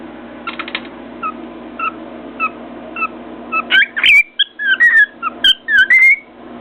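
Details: Cockatiel whistling to its heart's content on top of its cage: a brief rattle, soft evenly spaced chirps, then a lively stretch of loud looping whistles punctuated by sharp beak knocks on a mirror.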